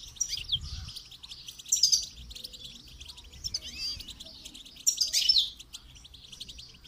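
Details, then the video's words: Goldfinch in song training delivering lively tinkling phrases, rapid twitters mixed with sharp bright notes and short buzzy runs, rising in intensity in several bursts. "Motivational rewards for training goldfinch to song"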